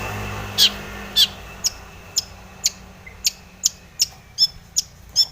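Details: Long-tailed shrike singing in a lively, full lure recording meant to provoke other shrikes into singing: sharp, high, clipped notes repeated roughly every half second, about twelve in all, over a low steady hum.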